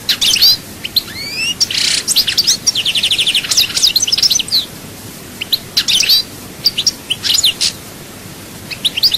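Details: European goldfinch in Souk Ahras, Chaayba, Algeria, with a loud, continuous tumbling song of high chirps, buzzy rattles and slurred whistles, nearly without pause.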